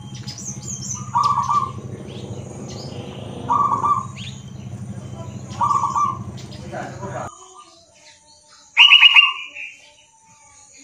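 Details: Local zebra dove from Indonesia singing. Three short, rolling coo phrases repeat about every two and a half seconds over a low hum. After a quiet pause comes a higher, louder chattering burst.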